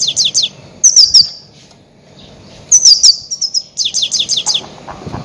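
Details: Goldfinch call sounds for trapping grey-headed goldfinches: fast runs of high, bright 'tink' notes and slurred twitters, grouped in bursts with short pauses, about thirty-two bursts a minute.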